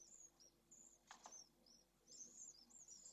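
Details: Pallid swift nestlings, three chicks in nest 1 at Jerez on a nest camera, make faint, very high, slurred squeaky notes in short bursts, broken by a brief rustle.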